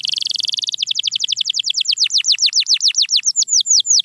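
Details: Canary song used to coax quiet canaries into singing, with Belgian, Spanish Timbrado and Russian types mentioned: a fast trill of high chirps, then a run of slower, downward-sweeping whistled notes repeated about twice per second.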